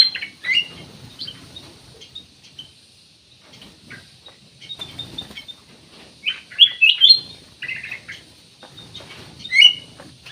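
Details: Vigorous black-naped oriole song used as a lure to make other birds sing: scattered bright whistles and slurred notes, sparse early, then denser fluty clusters toward the middle and end.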